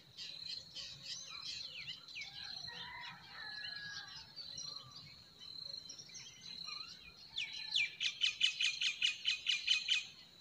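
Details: Forest birds singing in spring: a busy mix of high chirps and short whistles, then near the end a louder bird bursts into a rapid, evenly spaced trill of sharp notes lasting about three seconds, over a constant high thin tone.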